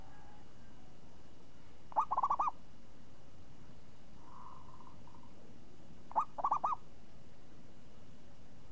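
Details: Champion zebra dove singing a song called crisp and swinging ('ngayun'). Two short phrases about four seconds apart, each a quick stuttered cluster of clipped cooing notes, with a faint soft hum between them over a quiet background.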